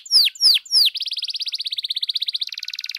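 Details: Canary singing lively, lure song meant to rouse other canaries into song: three loud sweeping downslurred whistles, then a fast, even buzzy trill that shifts to a lower, denser trill near the end.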